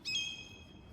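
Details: A gull flying past in Bergen, Norway, in summer gives a single brief, high squeal with a ringing, harmonic tone that fades quickly, over faint outdoor background noise.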